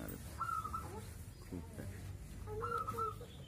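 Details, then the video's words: Zebra dove kept at a house, singing for hours: two trilled coo phrases, the second overlapping lower clucking bird calls, set against a steady low-pitched background hum. "Burung perkutut bunyi gacor berjam jam"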